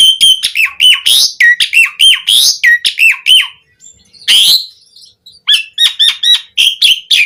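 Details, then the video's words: Black-collared starling, kept as a songbird, sings a rapid series of harsh, squawky chattering notes, repeated several times per second with a short pause near the middle, then resumes the same loud, raspy phrase pattern; no other sounds. "Pancingan Suara Jalak Suren Gacor POWER FULL Variasi Isian"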